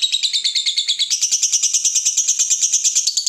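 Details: Continuous fast chattering trill of a lovebird, the ngekek style used to spur other lovebirds to sing, pulsing about three times a second with a buzzy, rolling texture.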